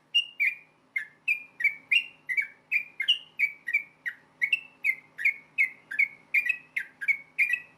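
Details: Rapid fighting song of a yellow-vented bulbul, meant to provoke other bulbuls into replying; a steady stream of about twenty clipped whistled notes, each sliding slightly down, alternating higher and lower pitches, roughly three per second.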